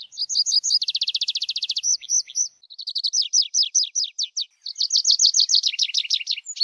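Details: Song of a tree pipit: a few high notes lead into a very fast dry trill, followed by steady phrases of repeated down-slurred notes delivered at a lively pace.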